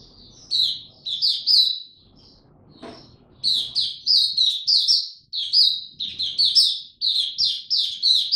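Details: Kept Oriental white-eye in buka tiong aw song while ramping up form, 3 January 2022: bursts of high sweet twittering, a quiet gap with a single click, then long busy runs of rapid chirped notes.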